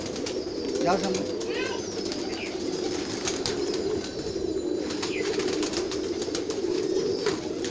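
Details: Flock of pigeons kept on a rooftop, a steady, low, rolling murmur of overlapping coos throughout, with a few brief higher chirps and occasional faint wing or handling noises.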